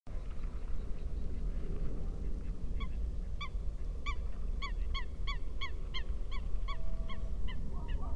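A Eurasian coot gives a fast series of short, sharp, nasal notes, about three a second, over a steady low rumble of background noise.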